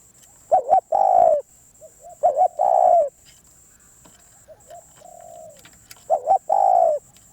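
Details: Wild-caught Spotted dove calling in a repeated pattern: three phrases, each a short two-note coo leading into a drawn-out mellow coo, with quieter coos in the gaps. A steady high-pitched electronic tone sounds in the background.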